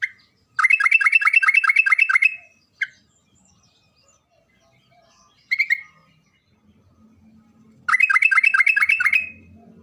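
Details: Sooty-headed bulbul in full lure song, meant to get idle bulbuls singing: long, fast chattering trills of bright, evenly spaced notes, each lasting up to a second and a half, separated by short pauses, with a clean background.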